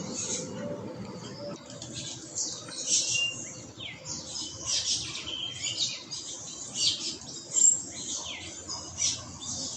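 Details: Carib grackles at the tail end of the dawn chorus in a Trinidad backyard give a busy run of high, squeaky, overlapping chirps and harsh notes, with palm tanagers, ruddy ground doves and other birds in the background.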